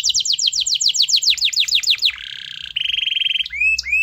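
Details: Domestic canary in full, vigorous song, used as a lure to get a reluctant canary to sing: fast series of steeply falling high notes, then a buzzy trill, a steady rapid rattle and upward-flicking whistles.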